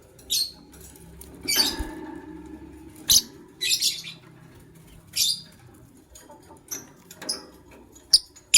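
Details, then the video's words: White lovebird couple in the morning making repeated harsh, high squeaky chirps, irregular bursts roughly every second or two, some doubled, over a low steady background murmur. "White LoveBird Chirping Sounds"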